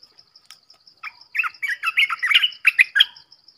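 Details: Red-whiskered bulbul singing a rapid burst of bright, slurred whistled notes, rising and falling, about a dozen notes packed into two seconds, over a steady high, regular ticking in the background.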